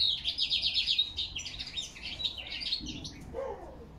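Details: European goldfinch singing in autumn, October 2021, with crested lark whistles in the background: a fast, bright twittering run of tinkling high notes, then softer lower chirps near the end.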